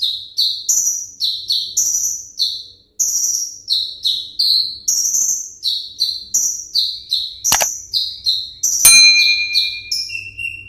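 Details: Caged 'ringgit' kolibri ninja (Van Hasselt's sunbird) singing a long, steady series of high, shrill, falling notes roughly every half second, with a sharp click and a thin, steady tone near the end.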